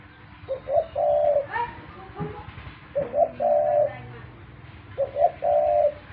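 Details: A pet dove gives three repeated low coo phrases, a brief lead-in note then a sustained hum, with faint scattered clicks and a rustle between phrases.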